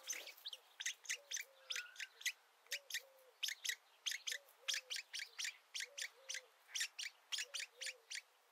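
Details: Woodpecker nestlings taking food while first poking their heads out of the nest; continuous rapid, scratchy begging notes with soft, low, paired notes repeating in the background.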